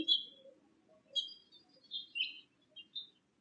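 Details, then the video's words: Bewick's wren (Thryomanes bewickii) at a nest box while bringing nesting material, giving a handful of high, thin chirps and short buzzy notes spaced irregularly, faint low hum behind. "Bewick's wren"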